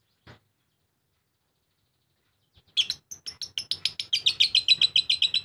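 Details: Lovebird in ngekek song: after near silence, a fast run of sharp, scratchy chattering notes starts abruptly and grows louder, about four notes per second, for nearly three seconds.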